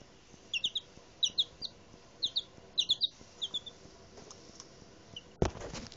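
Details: Lone five-day-old Legbar chick kept as a pet, unhappy when out of sight of its owner, giving short high peeps in quick pairs and small bursts, then falling quiet before a sudden thump and rustling.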